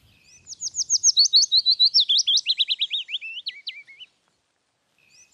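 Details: Willow Warbler (Phylloscopus trochilus) song: a soft, sweet phrase of about twenty quick notes sliding steadily downward over three seconds and ending in a small flourish.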